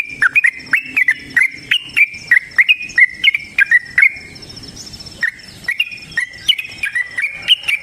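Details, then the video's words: Yellow-vented bulbul in a long, rapid, fighting-style song, used as a lure to make kept birds sing and answer. Quick series of short, sharp, rising chirps with a brief gap near the middle, over a steady high insect-like whine. "TRUCUKAN GACOR TARUNG ROPEL PANJANG Pancingan trucukan Agar Bunyi Jadikan Burung Trucuk Gacor Nyaut"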